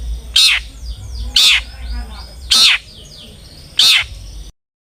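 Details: Long-tailed shrike song used as a lure to make other shrikes sing: four loud, harsh grating notes spaced about a second apart, with soft chattering and low background rumble between them.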